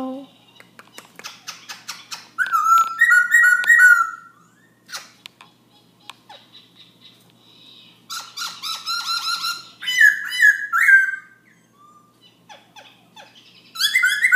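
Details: Night song of a Black-throated laughingthrush, heard at 11 pm and almost continuous: bursts of rapid clicking chatter alternate with clear paired whistles that rise and fall, with brief quiet gaps between phrases.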